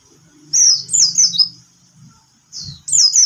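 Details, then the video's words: Bird interrupted by a cat while singing, giving loud, high, sharp chirps that sweep downward in quick clusters, with a pause between two bursts and a faint low hum underneath. "lagi nyanyi dia gak fokus jadinya ada yg ganggu"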